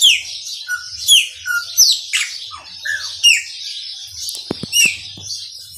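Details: Chopi blackbird singing in the Maranhãozinho style: a lively run of clear whistled notes, sharp downslurred sweeps and short buzzy phrases, delivered in quick bursts roughly once per second, with faint low hum and a few clicks behind.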